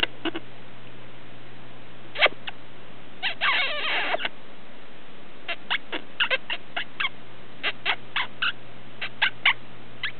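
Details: Pet female quaker parrot playing under bed covers indoors, giving scattered short clicking chatter notes with a longer harsh, wavering burst in the middle; soft fabric rustling and a low steady hum underneath.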